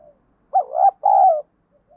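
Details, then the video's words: Spotted dove song used as a lure to provoke fighting, 'field voice' style: a two-part coo, a rising wavering first note then a sustained, slightly falling hoot, in a quiet setting. "cu gáy giọng đồng, cu gay kich boi nhanh noi gù"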